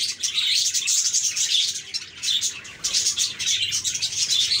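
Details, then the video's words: A group of happy budgies keeps up a lively, unbroken babble of shrill chirps and squeaky warbles, with the volume rising and falling in short waves. "Budgies Chirping"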